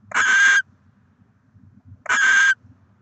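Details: Barn owl at a nest with six eggs in Oceanside, California, recorded in December 2023; two harsh, hissing screeches about half a second long, the second coming about a second and a half after the first, with faint low rumbling between.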